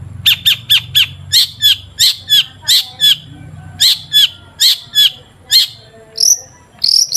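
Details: Long-tailed shrike song used as a lure to make shrikes sing: a steady series of short, sharp notes roughly every third of a second, harsh and chirpy, ending with two higher drawn-out whistles; low hum in the background.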